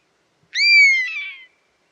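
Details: A buzzard gives a strong, clear mew that rises briefly and then trails downward for about a second, growing husky toward the close in otherwise silent surroundings.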